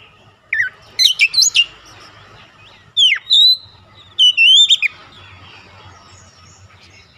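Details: Oriental magpie-robin song meant to provoke rival magpie-robins: sharp rising and falling whistled notes in scattered bursts, some quick clipped chips, over a steady hiss and faint low murmur.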